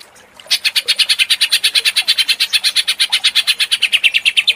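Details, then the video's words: After half a second of quiet, a provoked greater green leafbird bursts into fast 'ngentrok' singing, a steady rattle of ringing high notes, several each second, sustained to the end. "Pancingan Cucak Ijo menjadi emosi & gacor ngentrok"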